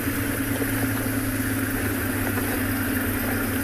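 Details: A vehicle engine idles steadily throughout, with constant low hum and no animal voices.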